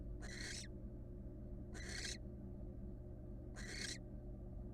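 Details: In a nest box, a wild female barn owl rests on one leg; three drawn-out hissing screeches, each about half a second, separated by pauses of over a second, over low hum.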